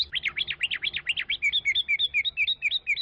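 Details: Rapid Chinese hwamei song: a quick run of steep zigzag whistles, then a steadier series of clear two-part slurred notes repeated roughly every fifth of a second.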